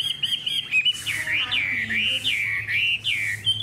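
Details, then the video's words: Caged fan-tailed hwamei with a good voice singing loud, flowing whistled phrases that dip and rise in smooth arcs, with short pauses between strong bursts and light low background hum. "Họa mi đuôi xòe, thái độ tốt, giọng hay"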